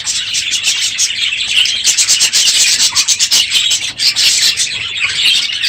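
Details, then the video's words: Aviary full of budgerigars on a morning late in the breeding season, louder than usual; a steady wall of scratchy, high-pitched warbling and chirps with rapid overlapping notes. "My Budgies Today - NOISY birds this morning!"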